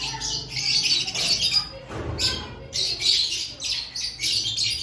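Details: Lovebirds before the breeding season, several birds chattering in high, harsh squawks in short bursts, with a dull thump partway through.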